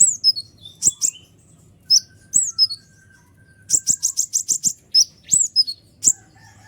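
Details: Kolibri ninja sunbird singing hard as a tutor for reluctant birds: scattered high slurred notes, then a rapid rattling burst of about eight sharp chips, and more falling whistles, above a faint low hum.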